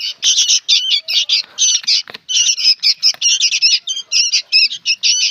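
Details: Very noisy young sooty-headed bulbuls keep up a steady stream of buzzy, grating squawks in quick clusters, with only brief gaps.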